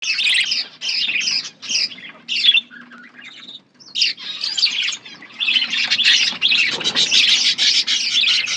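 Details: Budgerigars in an outdoor aviary, chattering in dense bursts of scratchy, high warbling chirps with brief pauses, several birds calling over one another.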